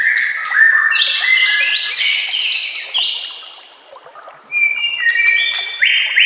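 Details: Master song of a white-rumped shama for training captive birds, over a bed of running water. Loud, dense, overlapping high whistles held at steady pitches, a brief lull, then sustained ringing tones again.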